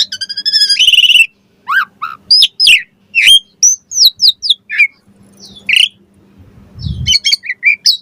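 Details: Asian pied starling song used to prompt other starlings to answer and sing: loud varied whistles, rapid buzzy trills, sharp rising and falling notes and chattering bursts with short pauses, a faint low hum and a brief thump in the background.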